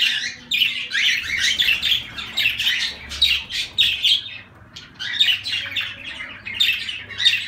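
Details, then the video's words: Zebra finches calling indoors: a steady run of short, nasal, honking beeps in uneven bursts, several birds overlapping, with brief pauses between clusters. "Zebra Finches"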